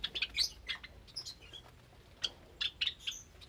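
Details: Java sparrows in a cage with many recently hatched chicks, recorded Sunday morning, 8 May 2022; clustered sharp chirps open and close the passage, with a quieter gap of faint notes between.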